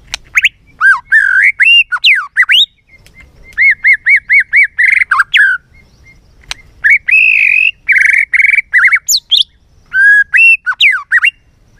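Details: Many-voiced white-rumped shama song, the bird provoked into singing with tail-flicking: loud bursts of varied whistles, repeated rising-falling phrases and quick chattering notes separated by short pauses.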